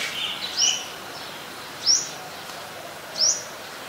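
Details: In Ubon Ratchathani, Thailand, on 17 July 2020, a White-vented myna gives three clear upslurred whistles, each rising sharply, about every one and a half seconds over a quiet background.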